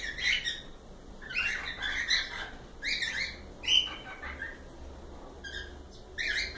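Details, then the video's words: Cockatiels calling in a series of short, harsh, slurred chirps, several grouped notes repeated irregularly over a few seconds, with a steady low hum behind. "Calopsitas Live Canto dos pássaros"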